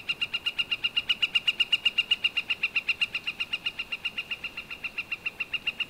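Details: A steady, rapid Northern flicker call: clipped, identical notes repeated about four times a second with slight swells in volume across the run. Wood-pecking is also named for this recording.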